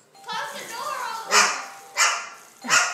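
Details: Male rehomed pet Moluccan cockatoo indoors, barking like a dog in response to the doorbell while whipping its crest and feathers about. Three loud, harsh, broad bark bursts arrive roughly every 0.6 seconds after a steady tone and a human voice.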